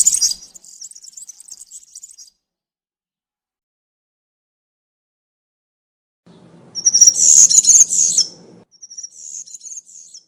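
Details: A European serin's campero-style song in woodland, for young serins to copy: a short, high, trilling jingle, a long pause, then a louder, glittering, buzzy warble over a low rumble, and a final thinner phrase.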